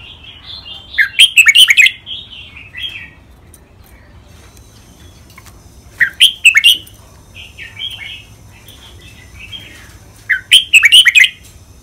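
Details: Two caged red-whiskered bulbuls from Thailand sing head to head, performing training styles such as rik, double, lak wai, mae bot and counted notes. Three loud, sharp chattering bursts come about every four to five seconds, with softer warbling between them.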